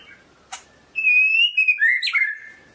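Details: White-rumped shama of the Medan type giving a clear whistled song phrase: one click, then a long smooth wavering whistle that dips and rises, ending in a lower slurred note.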